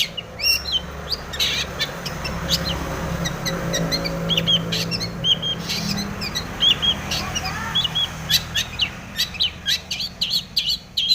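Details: Long-tailed shrike in lively full-fill song, meant as a lure to provoke other shrikes into singing: rapid scratchy chatter, sharp clicks and short high whistled notes in quick bursts, over a steady low engine-like rumble.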